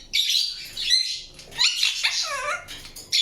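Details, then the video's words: Indian ringneck parakeet with scratchy squawks and a couple of smooth downward-curving whistles in a short loud sequence. "PARROT CHIRPING SOUNDS"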